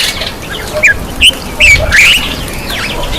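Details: Black-eyed bulbul bathing: a few short, harsh squawky notes with sharp upward and downward slurs, spaced irregularly over about three seconds, against a soft background hiss.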